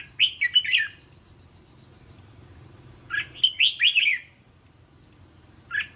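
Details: Red-whiskered bulbul song for training young caged birds to sing in reply: two lively bursts of liquid whistled syllables separated by a silent pause, with a brief note at the end.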